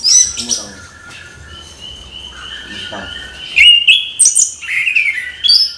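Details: Orange-headed thrush singing a lively morning song. High thin whistles are followed by long level whistled notes, then loud sharp bursts of varied high twittering and trills in quick succession.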